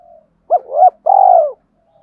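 Spotted dove giving soft, low cooing notes: a short double coo followed by a longer, drawn-out coo that falls slightly at the end.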